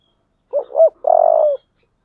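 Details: Spotted dove of the low-voiced 'giọng thổ' type, calling to incite fighting: two short, hollow, rising coos followed by one long, steady, slightly vibrating coo lasting about half a second, with no other sounds.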